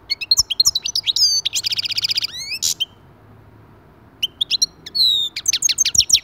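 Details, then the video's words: Goldfinch singing to prompt other goldfinches into song: tinkling high twitters and a dense buzzy trill, then a silent gap of about one and a half seconds before more quick whistled notes and chirps resume. "تغريد رائع لتحفيز أي حسون على الغناء"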